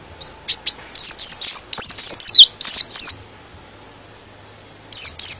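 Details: A white-eye sings a rapid run of high, thin, twittering notes for about three seconds, then a brief burst of similar chirps after a pause. The song is meant to provoke other white-eyes into singing.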